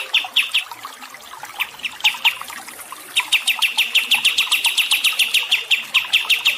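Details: Songbird recording used as training and relaxation for stressed cage birds, with water sounds: fast chirping phrases, then a long run of rapid, evenly repeated notes over a light hiss of trickling water.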